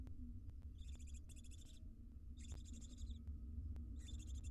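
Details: Wild barn owls of a family at their nest box give a series of harsh, rasping hisses, each lasting around half a second, in close succession over a constant low-pitched background hum.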